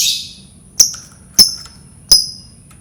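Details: Lovebird calling to prompt other lovebirds to learn to sing: a fading screech, then three short sharp chirps with quick downward whistled tails, spaced over a second apart, against a faint high hum.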